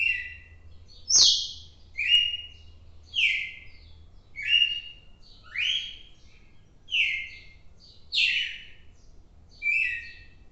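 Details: Red-cowled cardinal singing on 4 December 2023: a steady run of bright, downward-slurred whistled notes, about one per second, some phrases rising slightly before dropping, with a faint low hum and a single click near the start.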